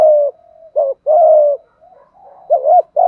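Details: Malaysian-type spotted dove giving 'thúc gù' coos at a brisk pace. Long mellow coos alternate with short upslurred hiccup notes, and soft low murmuring fills the gaps between phrases.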